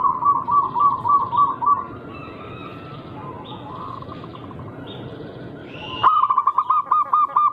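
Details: Wild-type local zebra dove with a rare rhythm, singing as a lure so rival doves respond: a run of pulsed coos, a quieter stretch with distant chirping birds, then a loud, crisp series of rapid coos.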